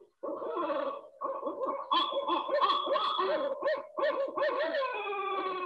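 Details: A Barred Owl gives a rapid, excited run of rich, throaty hoots and wavering cackles, overlapping and rising and falling over several seconds, only partly resembling its 'who cooks for you' pattern.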